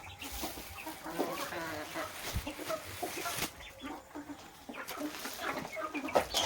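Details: Desi chickens that came down to eat the food put out for them make dense, overlapping clucks and chatter. Scratching and clattering noises run throughout.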